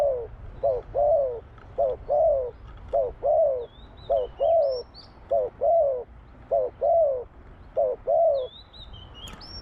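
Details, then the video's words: Spotted dove singing in the หลิวตัน ป่าร้อย style: low, hoarse cooing notes in short phrases, each phrase a quick pair followed by a longer falling coo, repeated steadily throughout, with faint high chirps from other birds. "นกเขาใหญ่ หลิวตัน ป่าร้อย"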